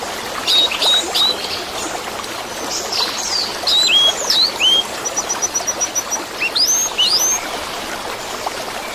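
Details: Varied orange-headed thrush song for caged birds that stopped singing: scattered whistles, swooping slurs, a fast even series of high ticking notes, then rising sharp whistles, backed by constant trickling water.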